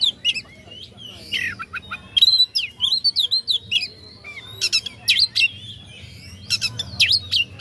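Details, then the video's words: Oriental magpie-robin provocation song: rich, varied whistles and fast scratchy notes, a dense stretch of sharp repeated chips, then more bright slurred phrases. "pancingan kacer agar respo gacor.. kacer ini mampu meningkatkan emosi lawan"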